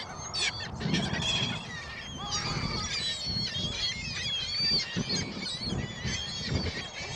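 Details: A crowd of gulls at a shopping mall on Christmas Day 2014, on a very windy day, gives harsh, overlapping squeals and mewing cries, with low rumbling wind noise beneath.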